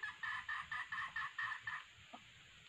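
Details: Female red junglefowl giving a quick run of about eight clucking notes, roughly five per second, then a lone softer note after a short pause; used as a lure for trapping males.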